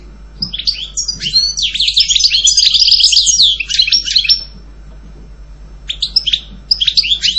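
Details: European goldfinch delivering a long, rich stream of high twittering and tinkling notes, falling quiet for a moment, then adding short clusters of bright chirps.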